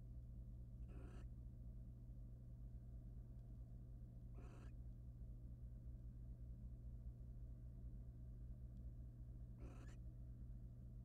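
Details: Barn owl pair in a wild monitored nest box as the male preens his mate's feathers; three harsh hissing screeches, the first two about three seconds apart and the last after five, over a steady hum.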